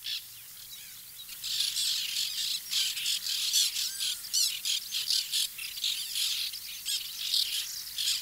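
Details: White-winged tern nesting colony, 2021: a dense, continuous chorus of rasping, grating calls from many birds overlapping, growing busier after the first second and staying steady.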